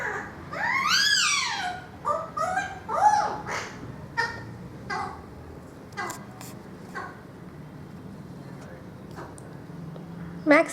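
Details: A pet Indian ringneck parakeet, male, learning to sing "Twinkle Twinkle Little Star" ("up above the world so high"), sings in a voice close to human speech, tuneful rising and falling phrases, then softer notes and a sharp squawk.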